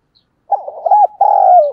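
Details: Decoy spotted dove, 'giọng thổ' voice, calling to lure wild doves: a burbling run of low coo notes flowing into one long, smooth, slowly falling coo.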